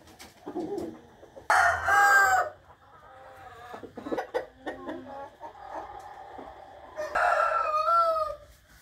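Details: Rooster in the morning, 8 April 2021, gives two loud crows about five seconds apart, each harsh at the start and ending in a drawn-out falling note, with low clucks and scattered clicks between them.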